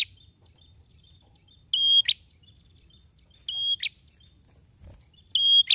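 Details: A male prinia gives three evenly pitched, shrill whistles, each finished with a short descending snap, spaced almost two seconds apart over a steady low background hum.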